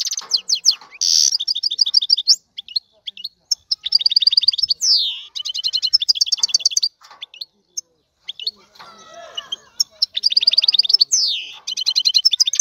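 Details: European goldfinch male in full song, meant to arouse a female's urge to breed; fast, tinkling high twitters, rippling repeated note bursts and sweeping whistled slides, with a brief quieter, scratchier stretch midway before lively phrases resume.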